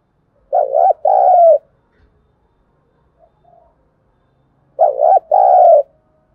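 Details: Decoy spotted dove calling to train freshly trapped birds: two identical phrases about four seconds apart, each a short wavering coo joined to a longer steady coo, deep and soft with silence between.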